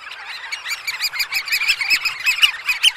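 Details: Eurasian oystercatchers calling close up at a roost in the early morning at Snettisham; a dense, overlapping chorus of shrill, piping squeals from many birds, rising and falling without pause.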